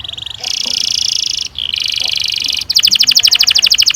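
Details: Canary singing a long roll used to train young canaries: two drawn-out buzzy rolls followed by a bright, rapid pulsed trill.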